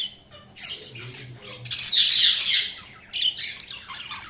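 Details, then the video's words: Budgies chirping and squawking, with a loud burst of harsh, dense high chatter in the middle, then a few sharper chirps and softer warbles. "Budgies Chirping sound"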